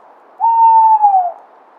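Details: A drawn-out Tawny owl hoot, one pure mellow note about a second long that holds level and then slides gently downward at its close; quiet background, nothing else heard.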